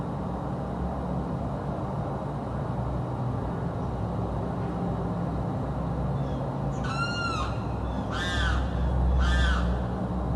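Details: Bird in South Florida that keeps screaming day and night: after several seconds of low rumbling background noise, three coarse, harmonic-rich screeches arrive in quick succession near the end.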